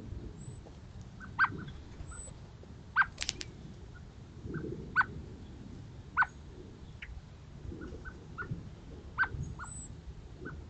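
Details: Eurasian blackbirds gathering on a morning of 5 November 2023, giving short, sharp clucking call notes, spaced irregularly every second or two, with a few softer notes between them over a low, steady background rumble.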